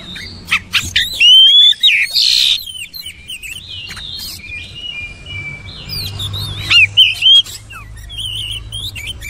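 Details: Oriental magpie-robin with a busy mix of short chirps, harsh bursts and looping whistles, loud at first, softer in the middle, then rising again to ringing slurred notes.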